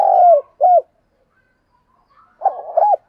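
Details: Spotted dove used as a decoy to lure wild doves, cooing in short low phrases: a long falling coo and a shorter arched note, then another phrase after a pause, with faint higher chirps between.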